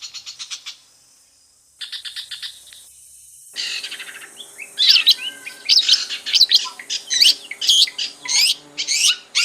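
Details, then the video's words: Long-tailed shrike in its natural habitat: short rapid pulsed bursts, then a busy run of sharp varied chirps and rising and falling whistled notes, with a faint steady hum underneath. "SUARA BURUNG CENDET DI HABITAT ASLINYA"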